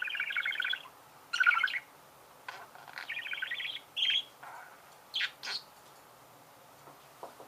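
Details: Budgerigars singing: bursts of chattering, warbling notes with scratchy, creaky elements, separated by short pauses.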